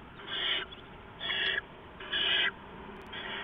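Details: Owlets at a nest receive rats from an adult owl in the early morning dark of 15 November 2015; loud, rasping hissy screeches about half a second long, repeated roughly once a second.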